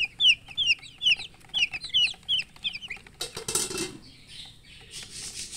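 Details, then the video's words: Chicks peep in loud, evenly spaced, high descending notes for three seconds, followed by a clatter like dishes and rustling noise. "Baby "Chicks Chirping" Sound"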